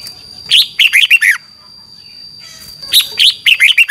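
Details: Red-whiskered bulbul, song used for training caged birds, giving two bursts of bright, bubbly warbled phrases, quick rising and falling notes, with a steady high electronic whine behind.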